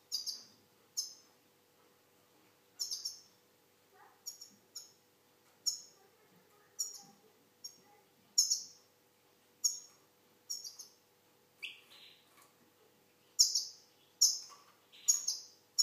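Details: Algerian goldfinch giving sharp, high, bright notes at irregular intervals, roughly one a second, some doubled, with a few lower buzzy notes between; no other sounds.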